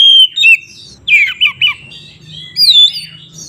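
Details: White-rumped shama fight-provoking song: a few sharp whistled notes, then harsher squawky slurred phrases and a high looping whistle, separated by quiet gaps with faint low background hum.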